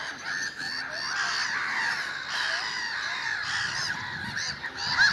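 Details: Early-spring gulls calling as a group, a continuous tangle of nasal, arching cries. Louder outbursts come about every second, with a sharp squeal near the end.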